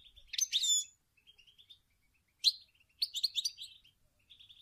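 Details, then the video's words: A female European goldfinch gives song and calls, bright tinkling twitters and liquid buzzy phrases in quick bursts with short pauses, used to stimulate males to sing. "Chant et des appels incroyable d une femelle chardonneret pour stumuler les males à chanter"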